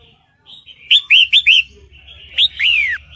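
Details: A female sooty-headed bulbul in breeding condition calls for a male: four bright slurred chirps, then a sharp note and a long descending whistle over a faint low hum.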